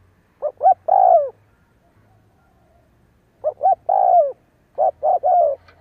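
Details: Spotted dove decoy cooing all day for luring wild doves; three phrases of two short clipped notes leading into a longer descending coo, separated by pauses, low background hum.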